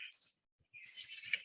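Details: Eastern Bluebird baby nestlings begging innately, their mouths popping open in response to a whistle imitating their mother: a brief thin, high note, then a longer wavering, hissy chorus of high-pitched calls.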